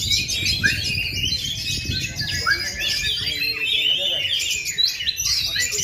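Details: Varied, rapid song of an oriental magpie-robin (kacer) in Indonesia, unmoulted for two and a half years yet still performing strongly. Choppy whistles and rasping, buzzy notes tumble together, with some lower tonal notes and steady low rumble behind.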